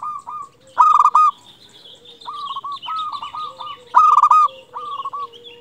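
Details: Local zebra dove singing, used to arouse and lure other zebra doves into song: two loud stuttered trills amid repeated purring coo phrases, with thin higher chirps from another bird behind.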